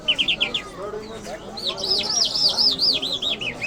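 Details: Iranian lark of the Mashhadi type: a fast burst of five short chirps, then a string of looping, arched whistles repeated rapidly in a lively, varied song over low background noise.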